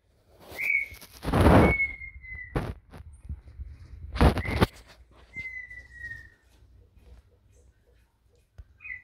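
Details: Red-winged tinamou from Brazil giving whistled song: a short high note, then a long, clear, slightly falling whistle, repeated after a pause, among loud low thumps and rumbling handling noise.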